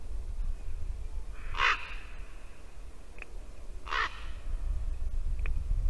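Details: Ravens calling at a Latvian white-tailed eagle nest at 8:59 AM on 2 December 2019: two rasping croaks about two seconds apart, with a few faint clicks and steady low wind noise.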